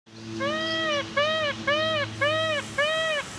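A peacock gives five loud, nasal, arching wails in quick succession, about one every half second, over a low steady hum.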